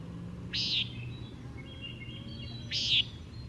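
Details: Common Nighthawk jer call played back during a talk, two short buzzy nasal notes about two seconds apart, each sharp and slightly falling, over faint low background hum.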